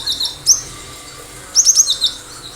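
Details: High, sharp Cinereous tit notes used to prompt other birds to respond: an isolated piercing note, then a quick run of four or five thin, clipped whistles.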